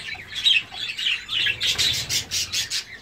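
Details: Gouldian finch in courtship: soft warbled notes give way to a run of about six rasping, buzzy bursts, each roughly a fifth of a second long, delivered rhythmically over a faint low hum.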